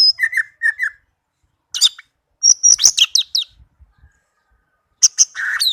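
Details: Tame captive orange-headed thrush singing melodiously: short bursts of sharp high chirps and quick trilled notes, separated by brief silent gaps, with a final tight cluster of rapid notes.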